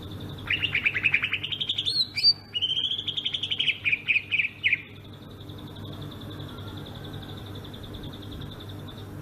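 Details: Sumatran greater green leafbird delivering its rolling ngerol song: a rapid chattering trill with a brief high squeak, then a second fast rolling phrase lasting about two seconds, followed by quiet with a faint steady tone.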